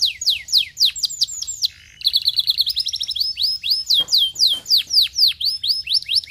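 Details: Stimulating canary song: strings of sharp falling whistles, a soft pause, then a fast buzzy trill giving way to evenly spaced loud downslurred notes, about four per second.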